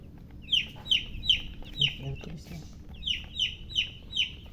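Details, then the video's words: Baby chicken chicks chirping: loud, clear, down-sliding peeps repeated about twice a second in a steady series, a short pause midway, with faint low background rumble. "silly chicken chirping sounds with murgi hen color chicken"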